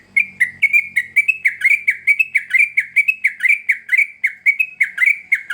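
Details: Yellow-vented bulbul (trucuk) in fierce, nonstop song, used as a lure for young birds: a rapid unbroken run of slurred, bubbly notes, about four per second, each dipping then rising. A faint low hum sounds at the start.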